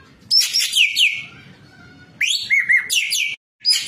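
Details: White-breasted kingfisher, a training recording for cage birds, singing vigorously in full song: three loud, harsh, rattling bursts laced with sharp descending whistled notes, separated by quiet gaps with faint low background hum.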